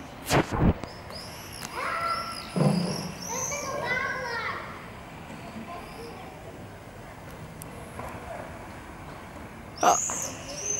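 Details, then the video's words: Common swift (Apus apus) screaming party with non-breeders exploring potential nest cavities at Campus Toverfluit, Brussels, July 13, 2020: shrill, high buzzy screams in short bursts near the start and again near the end, with people talking over much of it. "Swift screaming party"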